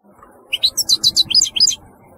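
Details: European goldfinch uttering a short burst of about ten quick, high tinkling chirps in rapid succession, with faint background hum.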